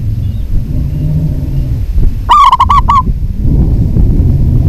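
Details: Zebra dove, a local bird, in energetic song: one phrase of about six rapid, mellow cooing notes heard through heavy low-pitched rumbling noise before and after.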